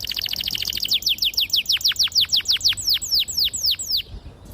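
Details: Canary singing long rolls, played to stimulate young canaries to learn singing. A very rapid trill slows into a steady series of about eighteen sharp, down-slurred notes, roughly two per second, before fading out.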